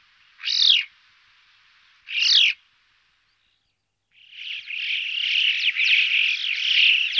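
Alpine chough: two short, high, rippling chirps about a second and a half apart, then a longer, trilling run of buzzy calls lasting three seconds.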